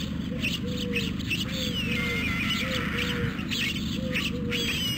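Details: Begging white stork chicks, hungry, recorded by a nest camera in Carpinis, Romania, on 12 August 2014. Paired, slightly rising then falling mewing notes come in quick series, with scattered high twittering and constant background hum.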